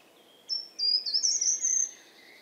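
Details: A Short-toed Treecreeper singing in winter gives one brief, high phrase of thin, separate whistled notes, lasting about a second and a half, ending in a slight flourish.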